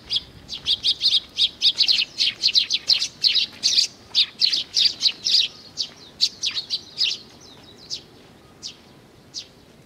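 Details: Young sparrows gathering at food at Tenmangu, Nakanoshima, 25 May 2020. A loud, dense burst of rapid high chirps runs continuously for seven seconds, then thins to a few scattered calls.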